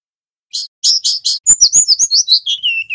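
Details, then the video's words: Golden-bellied gerygone, wild-caught male and female, in loud vigorous song: four buzzy chirps, then a rapid tumbling twitter of high notes sliding down to a lower, drawn-out whistled ending. "Burung SIUR / Remetuk laut GACOR"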